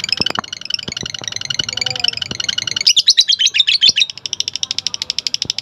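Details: Lovebird ngekek, long trilling song: dense high chattering, then louder rasping notes, then a quick even series of sharp clicks, with a few faint knocks in the background.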